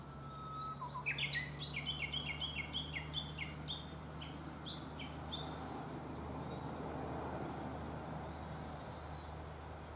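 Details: A Japanese tit from a nest box, after its young have fledged, gives a quick burst of short, bright chipping notes for a few seconds. A steady high insect buzz and a low hum continue underneath.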